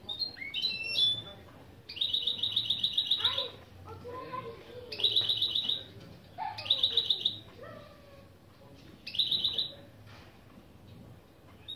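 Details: European goldfinch × canary mule running through the opening phrases of its lesson song: four rapid, buzzy high trills spaced a few seconds apart, mixed with whistled slurs and chattering notes between them.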